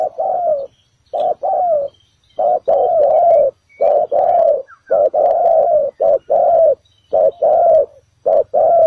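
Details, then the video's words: Decoy spotted dove at a ground trap giving bổi thổ calls: continuous sequence of low, mellow coos in clipped-and-drawn-out pairs, roughly one pair per second, with faint high bird notes. "Bẫy cu gáy mồi đất, bổi thổ đủ bài"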